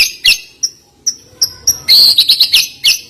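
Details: White-rumped shama song fill: short, very high, piercing notes spaced irregularly, ending in a quick cluster of sharp shrill chips.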